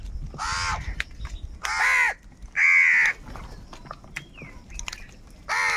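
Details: Angry crows calling for food: four loud, harsh caws, two close together in the middle, with a faint falling chirp and clicks in the gaps.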